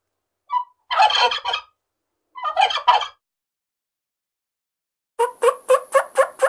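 A turkey gives two rattling, bubbling gobbles about a second long, then a quick run of six sharp, pulsed notes.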